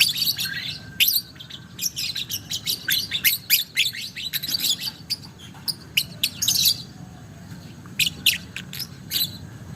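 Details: Young violet (biola) lovebird giving its long 'ngekek panjang' chattering song, used as a training recording for other lovebirds: dense bursts of sharp, high chirps and clicks packed together for seven seconds, then sparser clipped chirps after a brief lull.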